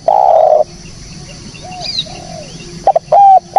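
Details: Spotted dove sound for use as a trapping lure: a long steady coo ends, soft distant coos and a faint high chirp follow, then a crisp stuttered phrase returns.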